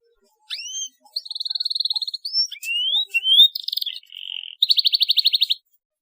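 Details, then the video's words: Canary chirps used to encourage young birds to learn song: clean phrases of upward-swept whistles, steady high trills and a brief lower buzzy note, separated by short pauses, in an otherwise quiet recording. "CUIT CUIT PALING AMPUH MERANGSANG BUNYI PAUD BELAJAR BUNYI"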